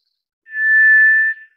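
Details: One smooth, unwavering whistle from a White's thrush, swelling gently and held for almost a second in quiet surroundings.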